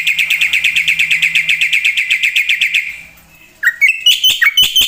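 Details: Black-winged myna singing hard with full isian: an even series of rapid chattering notes fading out, then after a pause loud slurred whistles and sharp chips.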